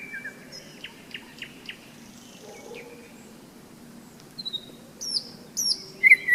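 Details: Nightingale singing on a May day of the thunderstorm season, at a rest stop on a hike along the Seversky Donets river: scattered short whistles and clicks, then loud high sharp notes near the end, over a steady low chorus of croaking frogs.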